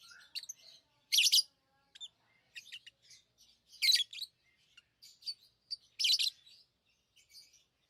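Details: Lovebird chirping: three loud, harsh chirp bursts roughly every two and a half seconds, with softer ticking and twittering notes between them.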